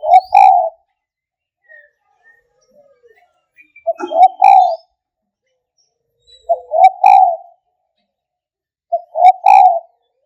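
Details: Spotted dove giving low, mellow cooing phrases of two to three notes each, repeated roughly every two to three seconds, with quiet gaps and no other clear sounds between phrases.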